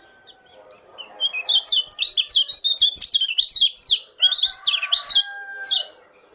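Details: Morning song of a white-eye from Lombok: a lively, nearly unbroken stream of quick, high twittering notes in bouncing runs, with a brief pause midway.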